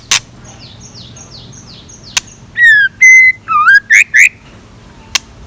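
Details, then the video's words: Morning song from a scarlet minivet used as a decoy: a string of quick descending whistles at a distance, then loud close whistled notes, arched, flat and dipping, with occasional sharp clicks. "Tiếng Chim Chèo Lửa Mồi Hót Sáng"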